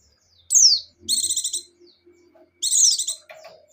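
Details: Pleci buxtoni white-eye in gacor singing: a sharp descending high whistle, then buzzy rapid trills repeated twice, with faint low background rumble and a scratchy noise at the end.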